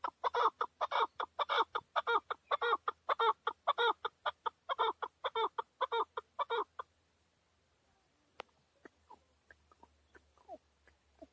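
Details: Male chukar partridge kept as a hunting decoy bird in Tajikistan, recorded in 2020, giving a fast run of loud, harsh, clucking chuk notes, about two per second, for seven seconds. The calls then stop and only faint thin sounds remain.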